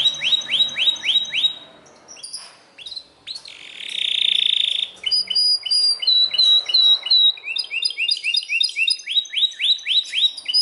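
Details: Loud singing from a Belgian canary: rising whistled sweeps, a short pause, a sustained buzzy trill, then quick repeated chirp clusters and more upslurred sweeps.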